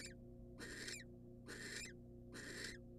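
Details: Wild female barn owl in a monitored nest box, receiving a rat from the male: harsh, broadband hissing screeches about 0.4 seconds long, repeated roughly every second, over a steady low electrical hum.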